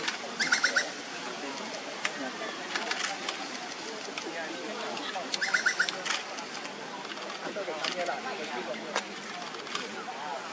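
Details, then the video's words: A great slaty woodpecker in Singapore, a rare non-breeding visitor, gives two short series of gentle, bright, slightly nasal notes about five seconds apart, over clicks, hiss and faint forest sounds. "Bird Call: GREAT SLATY WOODPECKER"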